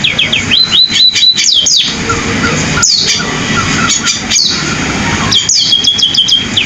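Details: Sparrow singing in a canary-like style: fast runs of high, sweeping whistled notes, some repeated in steady rising trills, broken by short pauses, over a constant low rumble of background noise.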